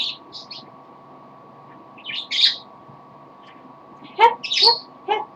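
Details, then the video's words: A pet parrot, tired, singing a little indoors; scattered short squeaky chirps and warbled notes in bursts, a rapid run of pulsed notes near the end, with a steady low hum behind. "the parrot sings a little."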